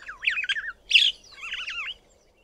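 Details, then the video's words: Cape (Glossy) Starling perched atop a small tree, singing: a brief sequence of three phrases, a slurred warble, a harsher buzzy note, then a wavering rolling phrase. "CAPE (Glossy) STARLING singing its cheerful song"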